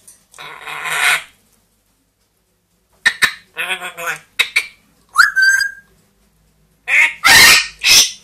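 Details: Two pet parrots, a young grey parrot and a one-year-old Amazon, vocalizing at home: a long raspy screech, a pause, then choppy harsh bursts, a short rising whistle, and loud broadband screams near the end.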